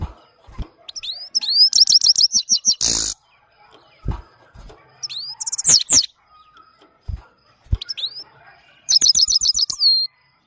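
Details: Singing Himalayan goldfinch (Maike) giving repeated phrases of rapid, high, tinkling twitters with upslurred notes, separated by short quiet gaps and soft knocking sounds.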